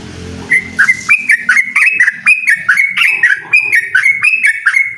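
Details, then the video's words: Yellow-vented bulbul (trucukan) singing energetically to challenge a rival, a rapid 'ropel' run of clear whistled notes that jump up and down, repeating about every half second after a brief rustle at the start. "suara burung trucukan gacor mengajak lawan adu ropel"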